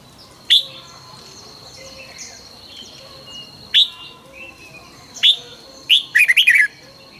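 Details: Red-whiskered bulbul singing during morning training, with single sharp notes spaced one to two seconds apart building to a quick jumbled phrase of bright warbling notes; soft background chirps throughout.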